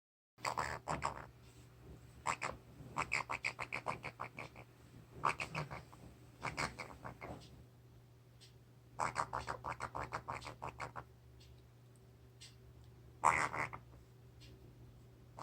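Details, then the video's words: A pet Pionus parrot makes cute, odd noises at night at bedtime while holding food in its beak: bursts of rapid, harsh chattering notes in short clusters, pausing a few seconds between them, over a steady low hum. "Pionus Parrot Making Noises"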